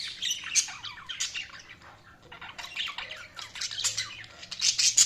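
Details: Budgies chirping in a lively group, quick squawky notes and warbled chatter rising and falling, getting louder toward the end.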